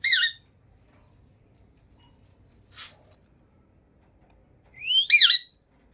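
Two shrill, harsh squawks from a rose-ringed parakeet, the second rising then dropping sharply, several seconds apart, with a faint soft rustle in between.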